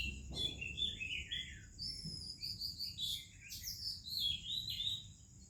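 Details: Morning song of an Oriental magpie-robin, an Indian bird: clear, varied whistles and short slurred notes in quick succession, with faint chirps from other birds and a thin constant high tone behind.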